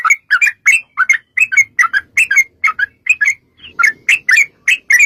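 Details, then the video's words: Energetic fighting song of a Yellow-vented bulbul, played as a lure to provoke replies: quick chains of bright, gurgling whistled notes, many per second with short gaps, faint low rumble in the background. "trucukan gacor TARUNG ROPEL PANJANG pancingan trucukan agar bunyi jadikan burung trucuk gacor NYAUT"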